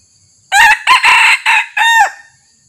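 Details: Red junglefowl crowing loudly at a decoy site, with the resident territorial male approaching quietly. A burst of harsh, clipped syllables runs into a longer drawn final note about one and a half seconds after it starts.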